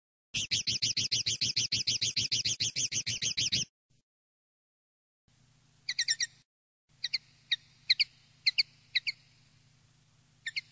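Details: Common linnet field (campero) song used to tutor young linnets: a dense, fast buzzy rattle of rapid repeated notes for about three seconds, silence, then scattered sharp high chirps in small groups over a faint low hum.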